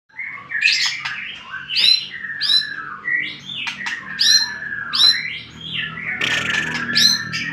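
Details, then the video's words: White-rumped shama song used as a lure to provoke rival birds: varied phrases of rich whistles, sharp high upswept notes and harsh chattering bursts, with a faint low hum beneath. "bikin lawan emosi"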